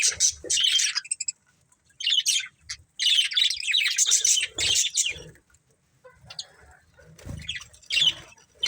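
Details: Budgerigars in a family group chirping: bursts of bright, scratchy warbling chatter in short clusters, separated by brief pauses, with a few softer low thumps.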